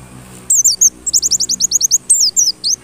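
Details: White-eye song played as a lure to provoke other white-eyes into persistent singing: a quick string of very high, thin, downslurred whistled notes in two bursts after a brief quiet start.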